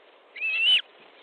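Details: Osprey at an Estonian nest, 13 July 2014, evening fish delivery: one drawn-out whistled call, slightly rising and then cut off, clear over a steady low hiss.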